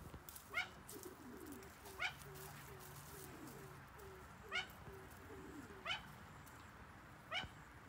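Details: Captive young pair of Malayan great argus pheasants; loud, sharp, ringing notes about every one and a half seconds over a steady run of low hooting notes and forest hum.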